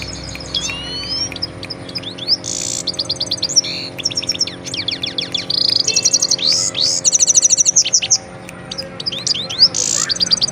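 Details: Himalayan goldfinch in lively song, a varied tumbling stream of high twittering notes, quick slurred whistles, buzzy trills and dry rattles with few pauses; a faint low hum persists behind.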